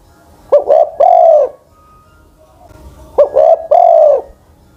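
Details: Spotted dove kept as a ground decoy, aged over ten, delivers two phrases of short double coos ending in a sustained mellow coo, with quiet background between them.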